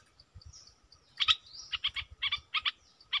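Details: Red-whiskered bulbul decoy bird calling: a rising slurred whistle followed by pairs of bright chirped notes, with soft low thumps in the background.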